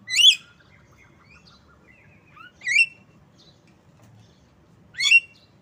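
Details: Asian pied starling (jalak kebo) giving three loud, rising harmonic squawks about every two and a half seconds, with faint twittering notes between them.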